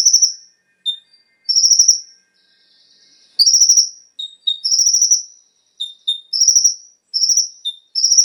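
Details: Konin lure song: high, rapidly pulsed trills interleaved with short clear whistled notes, delivered in quick succession after a brief pause, the pace picking up toward the end.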